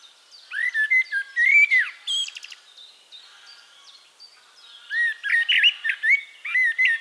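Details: Wild Eurasian blackbird song recorded in Castricum, the Netherlands: two phrases of mellow fluting whistles, each rising and falling, ending in thin high twittering, separated by a quiet pause with faint distant chirps.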